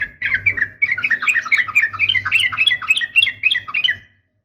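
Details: Female sooty-headed bulbul, a trucukan, calling to provoke males to answer. A dense, scratchy chatter of quick squawky notes runs for about four seconds without pause, with a faint low hum behind it.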